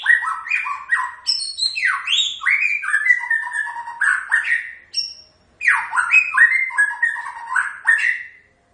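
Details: White-rumped shama (murai batu) delivering its characteristic song: dense bursts of clear whistles, down-slurred and up-slurred notes and chattering trills, with one brief pause before a fresh run of phrases.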